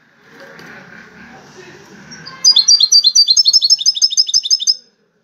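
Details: Wild-caught European goldfinch, one of five entered in a song contest. A low murmuring background comes first, then a rapid, high, tinkling run of repeated chirps lasts about two seconds and ends abruptly.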